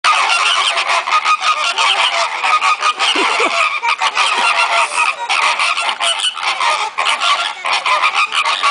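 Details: Captive flamingos at Sarasota Jungle Gardens in a frenzied, noisy display: a dense, unbroken chorus of nasal, goose-like honks and gabbling calls overlapping throughout, with many birds calling at once and no pauses.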